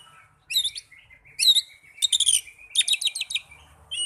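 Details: Oriental magpie-robin song played as therapy to get young or silent birds singing: bursts of high, buzzy, trilled phrases separated by short pauses, with a thin sustained whistle running underneath; otherwise quiet.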